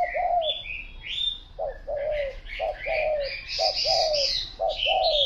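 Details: Steady spotted dove cooing, four phrases of a short note followed by a longer falling coo, roughly one per second, alongside bright twittering from other birds that grows busier toward the end.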